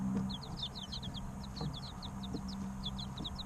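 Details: Three-week-old chicken chicks chirping in real time, rapid high downward-sliding peeps in quick runs through most of the stretch, with steady low hum beneath.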